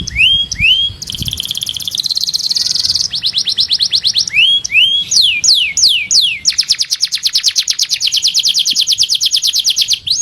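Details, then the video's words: Master canary singing: looping rising whistles, a buzzy roll, then long runs of rapid downward-swept chirps, the final stretch a steady trill of many notes per second. "O SOM DOS CANÁRIOS MESTRE CHAMANDO AMIGOS E BRIGAS"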